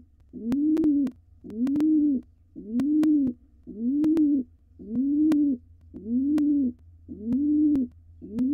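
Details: A wild pigeon father courts the mother in their nest box while young practise wing flapping before fledging; deep, even coos repeat about once per second, eight in a row, with scattered sharp clicks.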